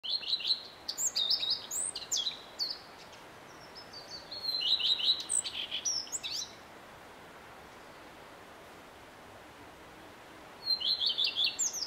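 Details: Male common redstart singing, heard from early morning till evening: short high phrases opening with a clear note, then quick repeated downslurred trills and scratchy twittering endings, a few seconds apart with quiet pauses between.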